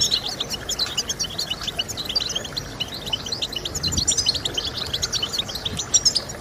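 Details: Goldfinch song used by breeders to motivate singing: fast, jangling twitter of high notes running without break, many short chirps layered over one another, with steady faint background noise.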